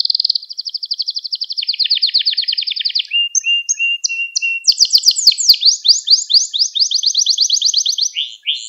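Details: Canary singing in a recording made for training young canaries: long rapid trill of high notes dropping in pitch, brief clipped whistles, then quick downward-sweeping syllables repeated in a fast rolling phrase.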